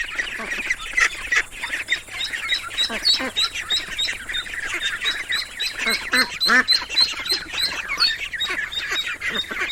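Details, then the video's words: Ducklings give rapid, shrill peeps, roughly three per second, over a constant chorus of other chicks and faint background hum. "The sound of ducklings"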